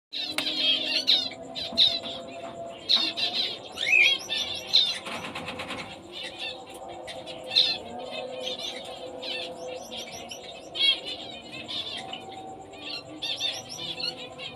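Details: Female zebra finches give short, nasal, toy-trumpet beeps in quick, overlapping bursts.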